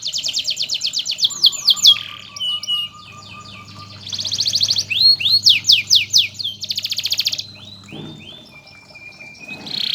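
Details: Master canary song for training other canaries: lively high phrases mixing fast rattling trills, upward-sweeping whistled notes and dense buzzy bursts, a long thin steady whistle near the end, and faint low humming in the background.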